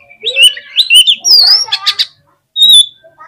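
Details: Oriental magpie-robin singing energetically to provoke rival birds: loud, varied phrases of slurred whistles and harsh chattering notes, a short pause, then one bright high whistle.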